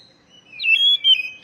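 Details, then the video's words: Oriental magpie-robin call, used to stir stressed young birds that have stopped singing: a short run of thin, high whistled notes, slurring down and then up, ending in a brief sharp note. "panggilan kacer bahan stress macet bunyi"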